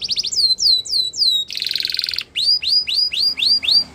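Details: Canary song in the wild, used for training young canaries: quick high chips lead into slurred descending whistles, then a dense buzzy roll, followed by a run of seven rising, clipped whistled notes.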